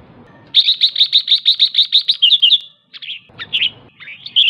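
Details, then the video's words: Female red-whiskered bulbul calling to excite males: a fast run of about twelve sharp, bright chips, then several slurred, warbling notes with brief pauses between them. "Chào mào mái ché/chào mào mái ché kích trống/ché kích trống căng lửa nhanh ché"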